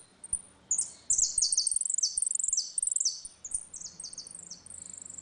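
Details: Saffron finch singing a ringing retinido-style song in dispute, used to teach young birds: rapid series of high, sharp descending notes repeated in quick bursts, with brief pauses between phrases.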